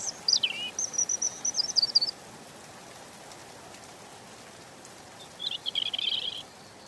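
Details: European robin song with a sliding high whistle and a wavering trill, about four seconds of quiet, then a dense jangling phrase, against a constant background hiss.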